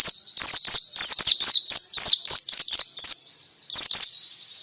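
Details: Ngalas song of a white-eye (pleci), meant to set other pleci singing: loud, high, repeated chirping notes about once a second, each a quick downward slur, with a short gap near the end.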